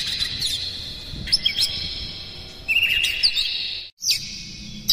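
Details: Oriental magpie-robin song played to provoke other magpie-robins; high, steady whistled tones broken by short chirps and flourishes, with a low background rumble and a brief dropout near the end.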